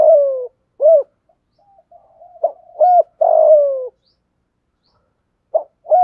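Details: Spotted dove decoy cooing to call in wild doves; mellow, low coos in short phrases, some notes sliding downward, with pauses of about a second and a longer gap near the end, otherwise quiet.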